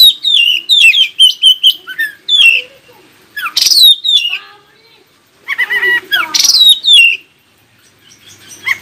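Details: Song of an Oriental magpie-robin, played to get other magpie-robins to answer and start singing: rapid series of bright, high whistles, each dropping in pitch, delivered in quick bursts with brief gaps between them.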